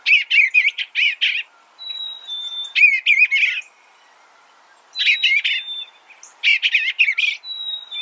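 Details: Eastern bluebird singing repeated short, burry warbled phrases in four bursts with brief pauses, and a thin sustained high whistle between some phrases.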